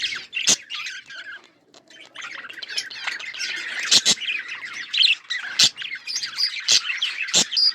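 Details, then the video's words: Budgerigars chirping in a flock, rapid scratchy warbles and squeaks with a brief lull near the start, then continuous chatter broken by several sharp clicks. "Budgies parrot beautiful colour budgies chirping sounds"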